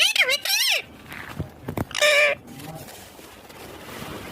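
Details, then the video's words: Ringneck green parrot (rose-ringed parakeet) described as talking: bent, harmonic squawks open the clip, a harsh rasping burst follows near the middle, then a quieter stretch with faint background hiss. "Ringneck Green parrot Talking Natural Sounds"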